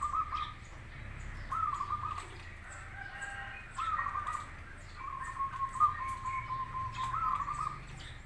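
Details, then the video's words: Singing zebra dove, local or crossbred, offered as a lure recording for other doves to answer: repeated bubbly, stuttering trilled coos every one to two seconds, one drawn out into a long rolling trill, with faint background hum. "Suara perkutut lokal vs Krosing cocok untuk masteran pancingan langsung Nyaut"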